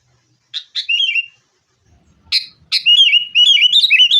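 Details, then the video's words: Sooty-headed bulbul lure song used to make caged birds sing, fighting style: sharp clicks followed by quick warbling, gurgling phrases that run into a fast chattering sequence. "kutilang gacor TARUNG buat pancingan kutilang agar bunyi jadikan burung kutilang gacor"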